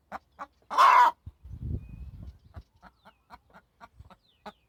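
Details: Hen giving a single loud, harsh squawk, followed by a low rumbling noise and then a series of short, quiet clucks.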